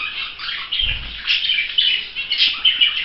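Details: Budgerigar chicks preening keep up a continuous, scratchy high-pitched twittering with bright chirps throughout, and a brief soft rustle or wing flutter partway through.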